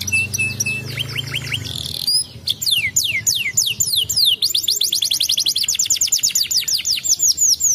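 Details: Canary song used to make other canaries answer: a buzzy rolled trill and a steady whistle, then quick sweeping notes leading into a long fast trill of repeated descending elements.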